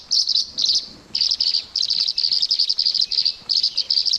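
Tree Swallow giving a rapid run of high, liquid chirps and twitters in quick bursts, almost unbroken apart from a brief pause early on.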